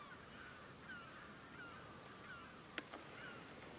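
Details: An upland goose at the Coyle River estuary, Santa Cruz, Patagonia, Argentina, on 18 June 2021, gives soft, whistled, downward-sliding notes about every three-quarters of a second over a steady hiss, with two sharp clicks near the end.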